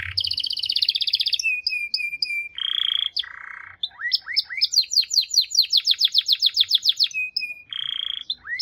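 A canary sings a varied, high song: buzzy rolls, steady whistled notes and a fast run of rising chips, about twenty in quick succession.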